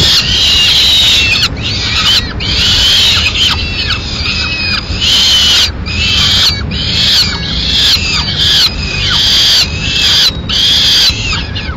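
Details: Peregrine falcon nest in Madrid, Spain, 4 May 2016: the male brings a swift, tears it up and feeds the chicks. Rapid bursts of harsh, falling screechy notes with short gaps between them over a continuous high hiss.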